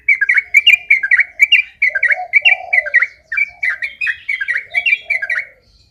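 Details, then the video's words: Sooty-headed bulbul in rapid continuous ropel-style song: a steady run of short bright chirped notes repeated several times a second, with softer lower warbled notes beneath, clean background. "Suara Ropel Burung Trucukan"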